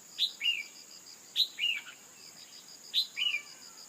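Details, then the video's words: Female red-whiskered bulbul calls used to make a male sing: a piercing chip followed by a warbled falling note, repeated about every 1.4 seconds, insects buzzing steadily underneath. "Kích chào mào trống hót căng lửa bằng tiếng chim mái cực chuẩn"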